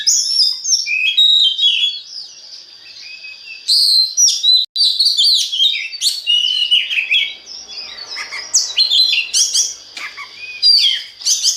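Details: Oriental magpie-robin song used as a lure for other magpie-robins: long flowing series of whistled, chirped and scratchy notes, loud bursts separated by short gaps, ending with sharp high upswept calls.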